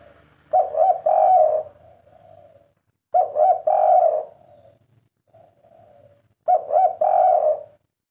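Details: Spotted dove of the 'kuk 3' type, known for its distinctive coo with the 'kuk' note three times. Three low, mellow cooing phrases roughly every three seconds; each has quick short notes rising into a longer rolling coo. A faint low hum lies beneath.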